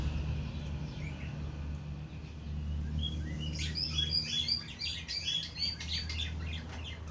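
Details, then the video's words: Australian finch in active song: scattered thin chirps at first, then a dense burst of quick, high twittering notes in the second half, against steady low background hum. "Burung falk australia gacor"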